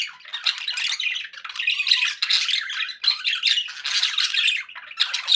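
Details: Dense, nonstop warble from contented pet budgies, scratchy squawks layered with quick whistled chirps, several birds overlapping with no other sounds.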